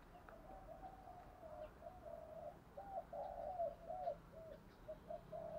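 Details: Spotted dove used as a lure bird, cooing to provoke wild doves into answering and fighting; soft hoarse coos, a run of short notes repeating rapidly, over steady background hiss.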